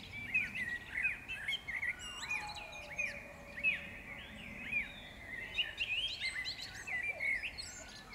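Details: Mixed birdsong in May 2016 at the Powsin botanical garden, Poland: repeated short arched whistled notes about once a second, with higher twitters and a long descending whistle, light ambient noise beneath.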